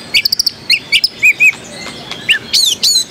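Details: White-rumped shama, a caged bird at a singing contest in Jakarta in 2015, singing rich whistled notes mixed with sharp trills and rising and falling slurred phrases, in quick bursts with short gaps.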